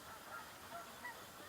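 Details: A flock of Canada geese circling over a house with ducks below on an October 3 morning gives a few short, distant nasal honks over about a second and a half against a soft outdoor hiss.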